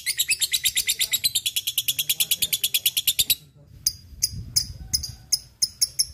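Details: Fighter lovebird ngetik ngekek, meant to coax other lovebirds: a long fast shrill trill of dense high notes for about three seconds, then a pause with low noise and a few spaced sharp chips.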